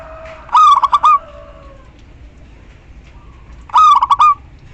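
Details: Female local zebra dove calling to the male, used as a lure; two trilling coo phrases of a drawn note then quick pulses, about three seconds apart, with a softer drawn note between and light hiss.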